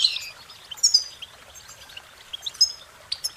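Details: Goldfinch song, sparse, high chirps and brief warbled notes spaced apart by quieter stretches, with faint background hiss.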